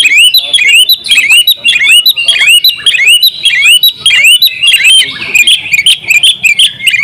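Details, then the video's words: Energetic oriental magpie-robin song for bird training, dense overlapping rising whistles and sharp chirps repeated almost twice a second, loud and continuous. "masteran kacer juara buka paruh full isian ngobra"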